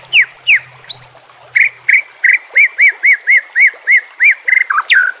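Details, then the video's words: White-rumped shama training song: two descending whistles and an upward sweep, then a steady series of about ten identical arched whistled notes, ending in a quick twisting phrase. "JELAS NYAUT dan NGAMUK dengan pancingan murai batu TERBARU FULL ISIAN KOMBINASI"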